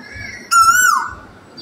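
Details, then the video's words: An Asian koel singing in a tree in the morning gives a single loud, clear whistled note, held steady then sliding down at the end, with a fainter, higher tone just before it. "Wake Up to the Beautiful Cuckoo Song"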